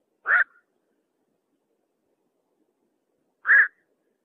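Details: Black-crowned night heron calling at night: two single harsh, croaking kwok notes about three seconds apart, each short and nasal, with silence between them.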